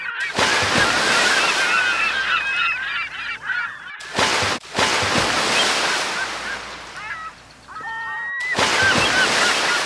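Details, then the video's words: Several gulls give harsh, nasal, down-slurred cries in quick overlapping bursts over a steady roar of breaking waves. "Seagulls sound along with waves"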